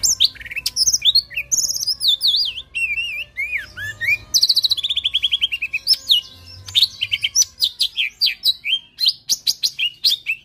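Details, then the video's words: Lesser green leafbird (cucak ijo mini) singing a chatty 'full tembakan kasar' song of harsh bursts: fast, varied, high whistled phrases with sweeping slurs, trills and sharp chips running almost continuously, with short gaps and no other clear sounds. "Cucak Ijo Mini Gacor Full Tembakan Kasar"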